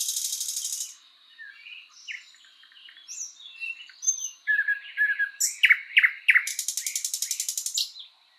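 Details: Singing in spring forest, a thrush nightingale opens with a dense rattle, moves through soft varied warbles and a few loud sharp notes, and closes with a long rapid rattling trill.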